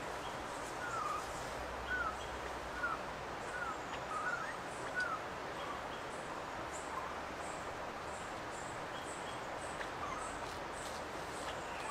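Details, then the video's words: Ochre-breasted Antpitta (Grallaricula flavirostris) at Refugio Paz de las Aves, Ecuador, giving about six short, faint, slurred whistled notes, roughly one per second during the first five seconds, over a steady hiss of background noise. "Ochre-breasted Antpitta"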